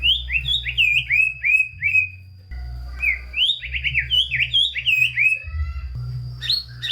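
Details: White-rumped shama, a loud, full-repertoire singer used as a stimulus for lazy or low-spirited shamas: phrases of quick slurred whistles and rising-falling notes, in two bursts separated by a short pause, over a steady low hum.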